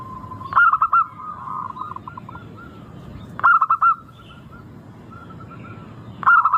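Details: Local zebra dove singing as a lure to make caged birds sing readily: three rapid, staccato coo phrases roughly every three seconds, with softer fading coos trailing between them.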